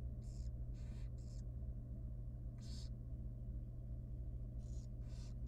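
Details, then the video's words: Young wild barn owl nestling at feeding time: roughly seven raspy hisses, an early quick run of three, then spaced single bursts, over continuous low hum from the nest box camera. "Super tiny and young barn owl baby feeding time."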